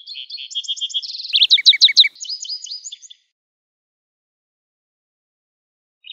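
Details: Wild lark sparrow in song, running about three seconds of quick high chips that speed into a loud rattling trill, then jumbled twittering phrases, followed by quiet.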